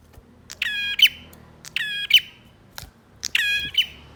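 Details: Male bar-winged prinia repeats three harsh buzzy notes about once a second, each a flat reedy buzz finishing in a sharp click, with a brief tick between the second and third, over near silence. Used to stimulate birds that stopped singing.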